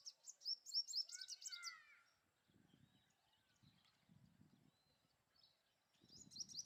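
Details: Male purple sunbird singing for a mate: rapid bursts of very high, thin, sharp notes in a fast trill for about two seconds, a quieter gap with low rumbling noise, then another high twittering burst at the end.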